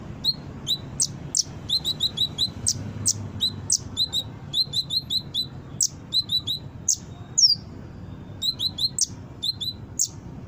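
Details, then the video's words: High, busy song of a brown-throated sunbird meant to lure other sunbirds into responding and singing: regular bursts of bright chirps and quick doubled notes, one louder swooping squeak midway, against quiet background. "Suara Konin gacor pancingan burung bahan cepat respon dan bunyi"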